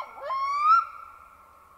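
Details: Wild male Black-throated loon calling around midnight on a boreal lake in Sweden: one plaintive wailing note that rises gradually and then lingers as it carries across the still water.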